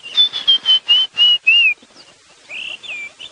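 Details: White-browed Scrub Robin calling on an AM safari drive at Djuma Game Reserve, South Africa, 11 December 2015: a run of six clear, slightly falling whistles at about three per second, followed by softer whistles from other birds.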